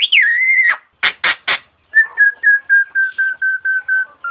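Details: Nias hill myna masteran: a loud clear whistle falling then held, three sharp explosive clicks, then a level whistled note repeated about ten times at a steady, slightly slowing pace.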